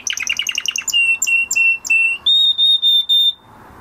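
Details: Male canary singing after his moulting period, a training song: fast buzzy trills give way to a string of short clear whistled notes, then a long steady high whistle held for about a second.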